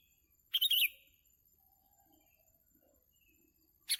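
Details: Sooty-headed bulbul heard while birds are lured for trapping, giving one brief liquid, bubbling phrase of three or four fast notes, then near silence with faint distant sounds and a clipped note at the end.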